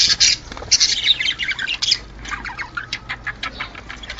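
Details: Budgerigar mating chatter used to prompt pairs to breed and lay eggs: loud scratchy squawks at first, then softer rapid chirps and warbles, with a faint wing flutter.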